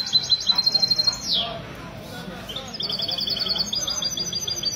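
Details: Mesto, a goldfinch hybrid kept by a goldfinch association, singing in a café in Ksar El Kebir on 16 February 2020; a quick high trill ends in a descending buzz, then after a short lull a steady chirping series resumes; voices behind.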